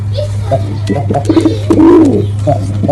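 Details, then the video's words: Male pigeon performing, giving a low, throaty coo that swells and then falls away near the end, preceded by soft short grunting notes and scattered clicks over a steady low electrical hum. "Male Pigeon Super Performance || Male Pigeon Sound"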